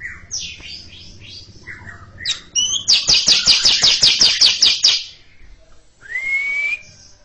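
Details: A greater green leafbird sings its long ngekek chatter before a quiet junior bird. Mixed warbled phrases lead into about a dozen rapid, harsh, evenly spaced notes, then a pause and one rising whistle.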